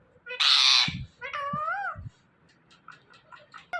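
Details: Indian ringneck parrot that mimics words lets out a loud harsh squawk, then a rising-and-falling nasal, speech-like call, followed by soft scattered chatter and light knocks.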